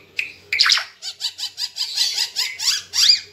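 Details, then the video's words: Ara Timor bird singing, a tutor recording for cage birds: a short whistled note, then a sharp buzzy burst, followed by a steady series of raspy, high notes roughly five per second. "Burung Ara Timor Gacor"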